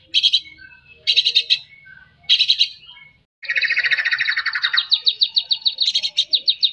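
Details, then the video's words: Shama (murai batu) 'gacor' singing meant to spur idle birds: three short buzzy bursts about a second apart, then a long rapid chatter that turns into quick repeated ringing notes. "murai batu gacor TERAPI murai batu malas bunyi"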